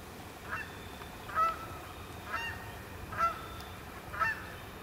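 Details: Canada geese (Branta canadensis) arriving at Sapsucker Woods, Ithaca, New York, on 28 October 2017 to spend the night on the main pond; four separate nasal honks spaced about a second apart over a steady hiss.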